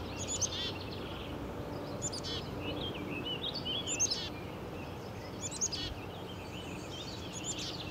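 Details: Wild Black-capped chickadee chirping from a perch on a walking trail in Woodstock, Ontario: high sharp chips followed by buzzy, slightly wavering notes, several bursts spaced a second or two apart against faint outdoor background noise.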